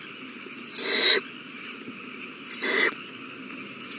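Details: Hungry owl babies being fed, 27 March 2020: two strong breathy screeches about one and a half seconds apart, separated by thin, quavering high-pitched trills over a low background drone.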